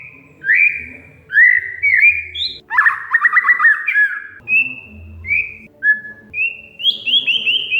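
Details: Oriental magpie-robin (kacer), audio meant to trigger singing in a bird that has gone quiet: bright whistled notes, a loud buzzy stuttering trill, then a string of short clear whistles at shifting pitches.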